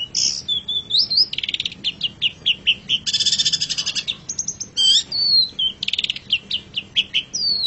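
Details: Long-tailed shrike, locally called pentet or cendet, in a master recording for songbird training: varied song of sliding whistles, fast buzzy trills and sharp chips, delivered almost without pause.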